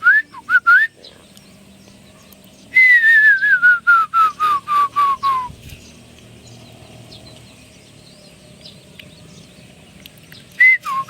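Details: Song of a Chinese hwamei: a few rising whistles, then a quick falling cascade of about a dozen notes, followed by long quiet with low background hum and a final rising phrase.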